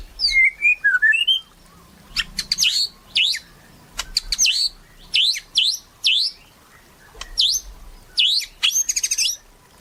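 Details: White-rumped shama in constant song, used to prompt shamas to sing: opening whistled slurs, then a fast series of sharp V-shaped downward-and-upward sweeps and clicks grouped in bursts.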